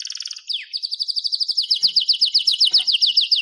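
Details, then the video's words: White-rumped shama, blorok type bred in captivity, singing for masteran training: brief trill, a steep downward slur, then a fast steady run of sharp descending notes repeated about four times a second. "Masteran Murai Batu Blorok Suara Jernih"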